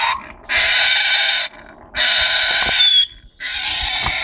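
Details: A breeding pair of Congo African grey parrots gives three loud, grating, hiss-like screeches, each about a second long and separated by short pauses, with a faint thin whistle between them.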